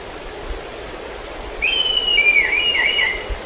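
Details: Black kite near Kemerovo giving one high, quavering whistle that wavers and slides downward over nearly two seconds, over a steady background hiss.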